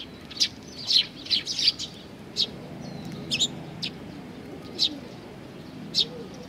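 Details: Young sparrows gathered at food at Tenmangu, Nakanoshima, 25 May 2020, uttering a quick cluster of high chirps, then single chirps spaced roughly a second apart over a low, steady background rumble.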